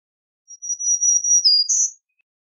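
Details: Single song of a black-throated green warbler: a long, even, very high buzzy note, a brief drop, then a short higher buzz at the end, in silence.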